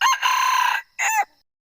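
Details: Male red junglefowl gives one hoarse, harsh crow: a long, strained note followed by a clipped, falling final syllable, cut short abruptly. No other sounds.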